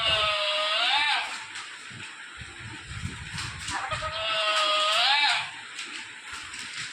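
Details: Parrot talking, producing two drawn-out, voice-like harmonic phrases that dip and then rise, each about a second long and a few seconds apart, with faint background rustling and murmur between them.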